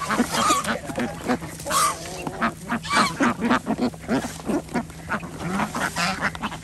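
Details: Ducks on an organic village farm in Andhra Pradesh, fed twice daily alongside chickens and geese; loud pulsing nasal quacks and honks in bursts, with a few higher whistled notes over constant flock chatter.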